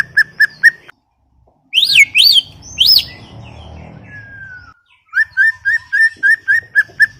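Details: Greater green leafbird, described as in full song, giving short sharp chips, a few loud rising-falling whistles, a long thin slur, then an evenly spaced series of upslurred notes.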